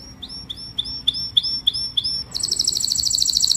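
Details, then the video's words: Canary song used to call the flock, opening with a string of evenly spaced short whistled notes with downward tails, then breaking into a rapid, buzzy high trill. "Tiếng chim Hoàng Yến hót gọi đàn"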